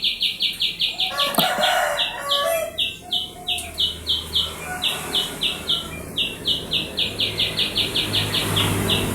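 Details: Canary lure song for training birds to sing: a steady series of short repeated chirped notes, about three per second, over a constant background hiss and low hum.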